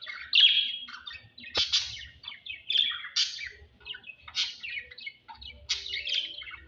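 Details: Chattering lovebirds at mating time, with rapid, scratchy high chirps and sharp squeals tumbling over one another in uneven bursts and a brief low click partway through.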